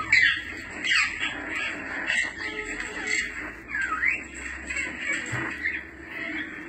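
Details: African grey parrot calls, played to draw the bird's attention: squawks and whistled notes throughout, including a clear falling-then-rising whistle near the middle, over a faint low background hum.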